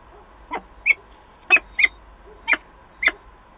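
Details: Peregrine falcons at the Wałbrzych nest in Poland, 8 August 2022, during a meeting between birds: six rough calls, several with a squealing, slightly nasal tone, in loose pairs over three seconds, with a faint hum behind.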